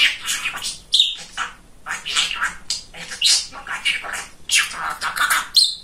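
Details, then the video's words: Chatty pet male budgerigar talking indoors: rapid, scratchy, chattering syllables run together with brief clear whistled notes mixed in, in uneven bursts. "Разговорчивый Волнистый Попугайчик"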